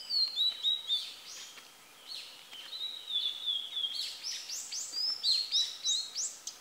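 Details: Female Blue-and-white Flycatcher in song, giving a long series of high whistled notes, some sliding down and some sharply upslurred, with a brief lull near two seconds and a steady rhythm afterward.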